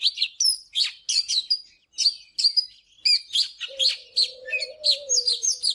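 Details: Morning song of an Oriental magpie-robin, played for song training: quick, rhythmic bursts of bright whistles and buzzy chirps, and a faint low steady tone running under the last two seconds.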